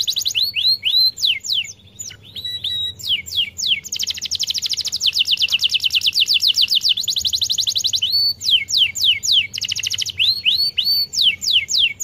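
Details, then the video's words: Long canary song used as a lure for silent canaries: sweeping whistled notes, then a very rapid sustained trill lasting about four seconds, followed by more rising and falling whistles. "Gacor durasi kereta api | Pancingan efektif kenari macet"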